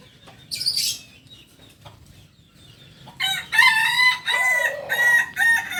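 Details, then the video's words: Kukuak balenggek rooster, a native chicken of Solok, West Sumatra: after a short chirp and quiet, a long crow of several stepped, harmonic syllables rising and falling over about three seconds. "Ayam kukuak balenggek ayam asli solok sumbar"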